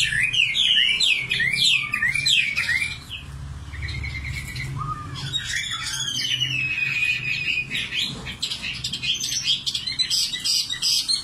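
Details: Common nightingale singing a rich, varied song of quick rising and falling whistles and chattering notes, with a steady low hum underneath.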